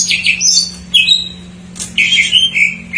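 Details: Short bursts of greater green leafbird filled song, a lure for birds that are untrained or not singing: squeaky whistled notes and slurred high phrases with brief gaps and a faint low hum.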